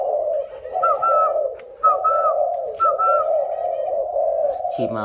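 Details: Caged spotted dove, a 'cu ta' bird from Nam Định in Vietnam, cooing in three soft, hollow, repeated phrases roughly a second apart against a continuous low hum, ending with a brief voice.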